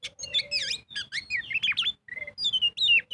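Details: Lure song of a kacer (magpie-robin) singing in 'gacor full ngobra' style: fast tumbling whistles with up-and-down sweeps, a steady flat whistle near the middle, then high ringing phrases, over a faint low background tone.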